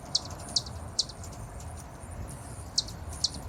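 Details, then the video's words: Hummingbird chips, three quick high ticks, a gap, then two more, heard against a steady low rumble and hiss. "som de beija flor-hummingbird sound"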